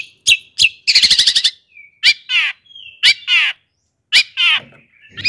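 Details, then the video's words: Long-tailed shrike song used to excite rival shrikes: sharp chirps, a quick rattling burst, a soft whistle and harsh descending buzzy notes, repeated in irregular sequence. "kicauan Cendet Gacor"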